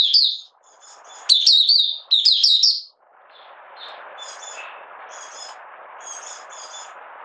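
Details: A Malaysian oriental white-eye, a hobby bird in minor moult and not in form, sings its opening song on 31 July 2023: clustered high twittering chirps early on, then sparse faint notes over steady hissing noise.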